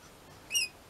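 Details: Pet rainbow lorikeets in a home setting: one short, shrill, slightly wavering squawk with bright ringing overtones, lasting under a quarter second, in otherwise quiet surroundings.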